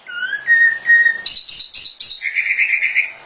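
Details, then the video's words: Nightingale song in a training master recording. Clear whistled notes of varying pitch lead into a run of high, rapid trills that end in a buzzy, warbling phrase. "Suara Sikatan Londo Nightingale Gacor Full Isian Cocok Untuk Masteran Burung"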